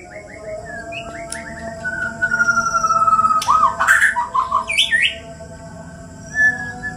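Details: Two white-rumped shamas, Borneo birds from Indonesia, fighting: soft stuttering notes, then a long steady whistle held about two seconds, followed by quick warbled and twisting phrases, with a faint high tone and background hum throughout.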